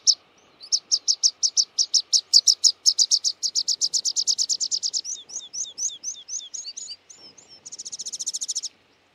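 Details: Rock pipit in a long run of high, ringing notes that speed up into a fast, even series, shift to slurred, down-swept notes, and close with a rapid, buzzy trill.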